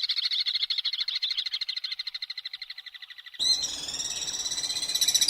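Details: Common swift giving a fast, rattling, pulsed trill that fades gradually; it then cuts abruptly to a noisier outdoor scene with higher screeches.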